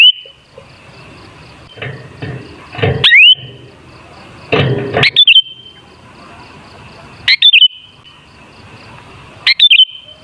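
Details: Sooty-headed bulbul song for luring bulbuls into singing: short liquid whistled phrases repeated every two to three seconds, some with a rising slur, between soft rustling bursts of noise.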